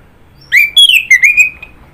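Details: Orange-headed thrush song: a short burst of clear whistled notes sliding and wavering, loud phrases over about one second, then quiet.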